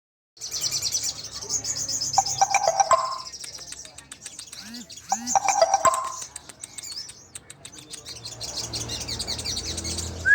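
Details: Sunbird song used as a training recording for songbirds: dense, high-pitched rapid twittering runs almost throughout, joined near the second and sixth seconds by lower whistled phrases and sharp clicks, with faint low rumble beneath.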